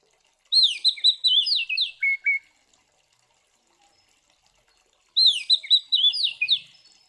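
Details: Oriental magpie-robin delivering fighting song to provoke other birds of its kind: two separate bursts of rapid, bright whistled slides dropping to short lower notes, with silence between.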